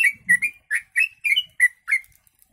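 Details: Yellow-vented bulbul song filled with kutilang, or sooty-headed bulbul, phrases for training birds: a lively string of about ten clear, slurred whistled chirps, some rising and some falling, with a brief low rustle near the start.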